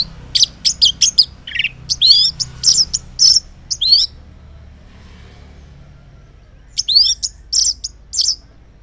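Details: An orange-headed thrush (Geokichla citrina) sings in the morning, bright high warbled phrases with quick swooping whistles, a four-second burst, a pause, then more, over a faint low hum; the song is used as a lure that males answer.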